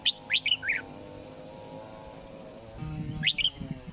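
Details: Sooty-headed bulbul, a kept bird over four months old, giving quick bursts of bright, slurred whistled notes near the start and again near the end, with a steady low humming tone underneath.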